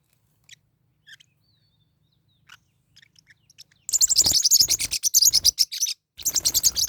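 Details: Fighting pet Forpus parrotlets: a few soft, isolated chirps give way to a sudden loud, dense stream of rapid, harsh, high-pitched chatter, broken by a short pause before resuming.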